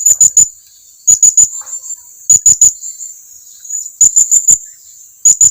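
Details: Blue-crowned hanging parrot calling its companions to come closer: very high, sharp, thin notes in quick bursts of three, repeated about every 1.2 seconds, with silence between.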